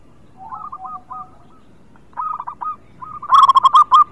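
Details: Local zebra dove singing in full voice, used as a lure for doves reluctant to sing: short bursts of trilled, bubbling coos, a softer phrase first, then a louder, rapidly pulsed cooing series near the end.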